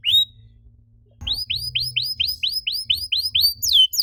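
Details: Canary singing as a stimulus for other canaries: one short high note, a brief pause over a low hum, then a quick, steady train of falling whistled notes, about eight per second, ending in a louder slurred phrase.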